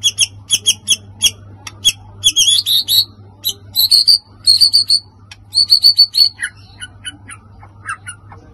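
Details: White-rumped shama song used to stir other birds. Fast, varied phrases of high clipped notes, chattering runs and repeated bright whistles, some rapid and buzzy, with a steady low electrical hum underneath.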